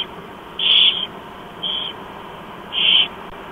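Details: Four barn owl chicks begging as an adult feeds them at breakfast, Chula Vista, USA, 28 October 2015, 07:29 in the morning; three rasping hissed screeches of uneven length, about a second apart, above a constant background hum.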